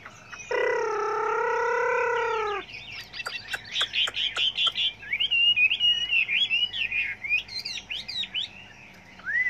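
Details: Chinese hwamei singing a varied song, used for training other hwameis: a steady harmonic tone for two seconds, then sharp clicking notes and a run of bright, quick whistled phrases.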